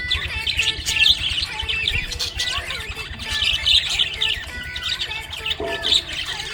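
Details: Budgerigar in a happy mood, chattering continuously with rapid warbles, squeaky chirps and brief harsh notes in an even, lively flow.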